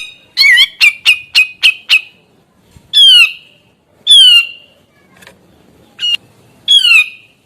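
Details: Gacor Grey-cheeked bulbul song intended to make reluctant and young birds join in: a rapid run of six clipped notes, followed by scattered harsh, buzzy falling squawks about a second apart.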